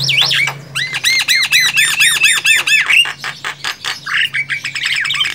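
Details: Javan myna recorded in the wild: quick repeated arched, squeaky notes in a rhythmic series of about a dozen, followed by harsher chatters and a burst of mixed squeaks, with a faint steady low hum.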